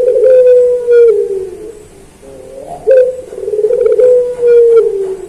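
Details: Puter dove (collared dove) singing in pelung style, a master recording for training pet birds: long, steady, low cooing notes drawn out for about a second each, slowly falling in pitch, with brief clicking sounds in between.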